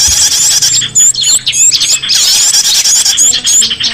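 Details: Lure recording of small birds meant to call back escaped cage birds: high-pitched, rapid tweets and sharp upward-sweeping whistles crowd together, with brief gaps between bursts.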